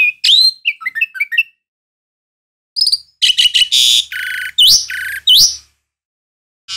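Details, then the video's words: Asian pied starling chattering with bubbly twisting whistles. After a brief gap it bursts into loud harsh buzzes and upswept whistles that follow each other quickly. "SUARA BURUNG JALAK SUREN | UREN"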